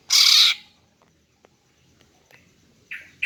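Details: Harsh, noisy scolding note from a female greater green leafbird, used to draw in males, then quiet, then two shorter rasping notes in quick succession at the close.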